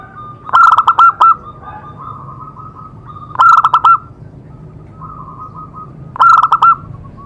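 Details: Zebra dove song meant to prompt other doves into singing: three bursts of rapid clicking, stuttered coos, each followed by softer trailing notes, repeating about every three seconds.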